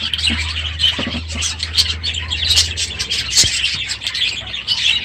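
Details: Many budgerigars in a packed aviary, loud in the morning at the end of the breeding season: dense warbling chatter and squawks, busy and overlapping, with a low steady hum underneath for the first three seconds.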